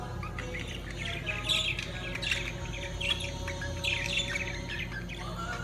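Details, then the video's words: Lovebirds during mating give busy, squeaky chirps and short twittering bursts in irregular clusters, over a steady low hum. "طيور الحب عندالتزاوج"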